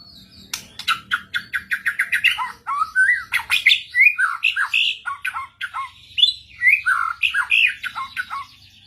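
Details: White-rumped shama calling back at other shamas during luring with a master recording; a rapid series of sharp chips, then varied, rolling whistled and warbled phrases.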